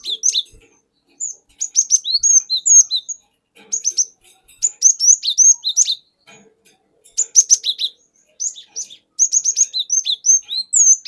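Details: Cinereous tit from the forest, song played as a lure to provoke other birds, called 'wucit wuit' with long rolls: bursts of high, sharp whistled slurred notes in quick chattering phrases, separated by short silences.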